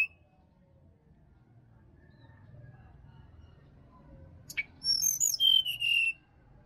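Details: Wild forest sirdadu from Bali, played in the morning to stir a caged bird that will not sing. Near silence, a sharp click, then a burst of rapid high notes ending in a falling, slightly rough whistle.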